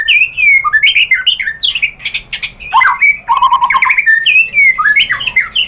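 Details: White-rumped shama lure song, used to provoke a rival into answering: loud, varied phrases of clear slurred whistles, sweeping up and down, mixed with sharp chattering notes and rapid trills, delivered almost without pause.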